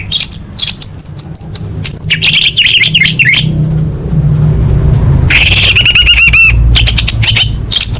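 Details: Orange-headed thrush, a lure to trigger singing in caged birds: loud, fast run of varied sharp notes and twittering trills, then a dense burst of rapid repeated high notes, over a low hum.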